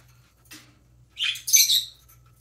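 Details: Baby parrotlet chirping during preening: a faint scratchy note, then a burst of harsh, buzzy high chirps running together for about a second, with a low background hum.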